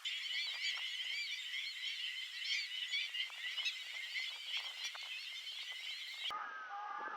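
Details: Large flock of black-winged stilts in flight giving a dense, continuous chorus of overlapping high-pitched yapping calls, steady throughout, with an abrupt break near the end where the sound thins to a few lower, sliding notes.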